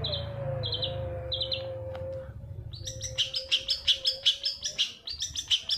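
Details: Long-tailed shrike recording for prompting song: three soft, high paired notes, then a fast, chattering run of sharp chirps, nearly three per second.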